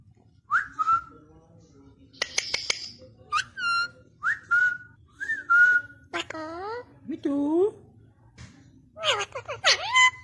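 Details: Pet Alexandrine parakeet talking and whistling indoors: clear whistled notes, some rising and falling, mixed with speech-like mimicked phrases and a few sharp clicks, in a small quiet room.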